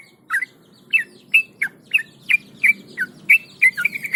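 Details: Tame Yellow-vented Bulbul (trucukan) singing steadily while held in the hand. Short whistled chirps near the same pitch repeat about once a second, some with a quick drop then rise, over a faint low rumble.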